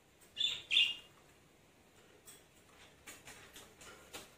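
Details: Caged-pet lovebird being coaxed back to its cage indoors: two loud sharp high chirps in quick succession near the start, then a run of fainter clicks and taps.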